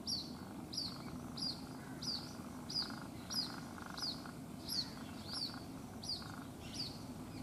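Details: Lone white-breasted waterhen chick in Rajasthan, India, left behind when its mother flew over a wall; sharp high peeping notes, each falling slightly in pitch, evenly repeated about three times every two seconds, low hum beneath.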